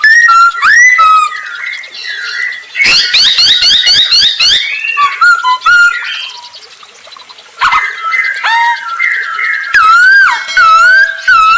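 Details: Masked laughingthrush singing steadily, used as a lure to get other birds singing: loud varied whistled phrases around a mid pitch, a burst of harsh rapid buzzy notes in the middle, then more slurred whistles and sharp rising notes.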